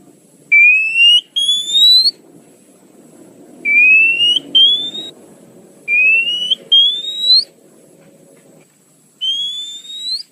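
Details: Oriental magpie-robin lure sound, called the fastest: paired rising whistles, clean and drawn out, repeated roughly every two seconds with soft rumbling noise between phrases.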